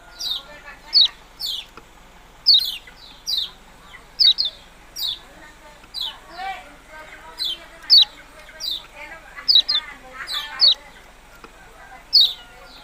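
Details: Yellow-bellied prinia calling repeatedly with short, high, downward-slurred chirps, often doubled, about forty a minute with irregular spacing; a steady low murmur sits underneath.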